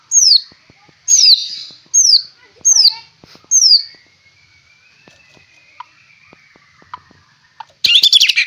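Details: White-rumped shama described as fierce-looking, singing a rich 'fighter'-style fill: five loud, high, down-slurred whistled phrases roughly every 0.8 seconds, then a pause with faint thin notes before a sudden harsh burst at the end.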